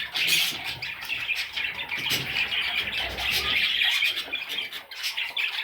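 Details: Baby parrot chicks chattering together in a dense, continuous mass of high, scratchy chirps and squeaks with no pauses.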